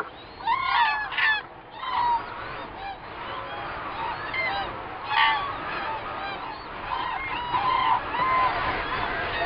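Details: Flock of common cranes at Gallocanta, recorded from a hide on 2 February 2013 using a Nikon D300s. Overlapping bugling calls come in surging bursts, some loud and close, others farther back, forming a constant clamour.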